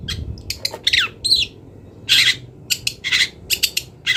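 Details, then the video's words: Long-tailed shrike from the wild singing a mimicry-laden song used to train songbirds; harsh grating squawks mixed with short chips and a brief whistle, heard over constant low noise. "CENDET GACOR BONGKAR ISIAN"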